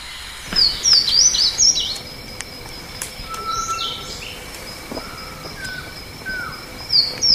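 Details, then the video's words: A blue seedeater (Amaurospiza concolor, a species native to Mexico and Central America) sings short bursts of high, sweet twittering notes at the start and end, with a few thin whistled slurs between and a faint steady background hiss. "O canto do Negrinho mexicano"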